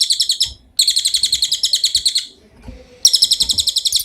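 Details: Cililin, the velvet-fronted nuthatch, in songbird training audio: three bursts of fast, sharp, high trilling notes, broken by short pauses. Faint low background rumble.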